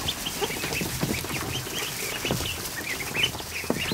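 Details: A crowd of more than 100 newly hatched ducklings in a barn kiddie pool in the afternoon. Dense overlapping high peeps, short and slightly rising, run continuously over splashing and scattered knocks.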